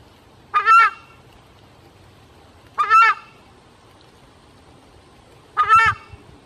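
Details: A Southern Screamer (chajá, Chauna torquata), a watchful guardian bird that cries "chajá" at the slightest sign of danger, gives three loud, honking two-note cries, each under a second long and spaced about two and a half seconds apart, over a quiet background.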